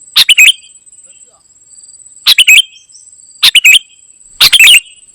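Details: Golden-fronted leafbird (kutilang emas) in energetic full song, giving four sharp, bright double-noted bursts separated by one to two second pauses, with a thin continuous high tone running underneath.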